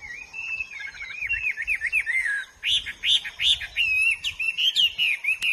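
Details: A wild hwamei sings rolling, repeated whistled loops, then louder emphatic notes and trills, varied and continuous.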